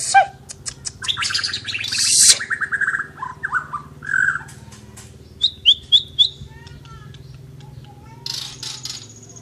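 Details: Asian brown flycatcher singing actively, a busy run of varied chirps, buzzy bursts and short whistled notes, with high quick slurs near the middle and a thin high whistle near the end, over a steady low hum.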